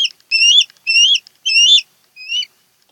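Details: Osprey of a mated pair nesting on Kent Island, Maryland, August 2018, giving four high slurred whistles, the first three loud and hoarse-edged, the last softer and shorter after a pause.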